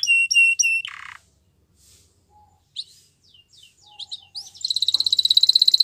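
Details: Training recording of a Belgian canary: a short set of high repeated notes, scattered quiet chips and brief sweeps with gaps, then a loud, fast, evenly pulsed high trill.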